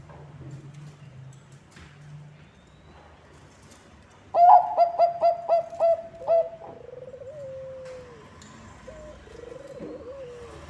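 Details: Song of a Bangkok zebra dove, played to attract other zebra doves: after a quiet start, a tight series of about seven clipped coos rings out, followed by softer drawn, downward-sliding whistles.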